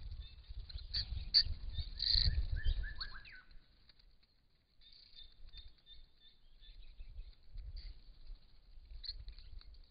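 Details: Wild little lorikeets, a shy species of threatened woodland, at a pond on a rural property: shrill, high, thin screeching notes bunched in the first three seconds, then fainter scattered calls over low rumbling background noise.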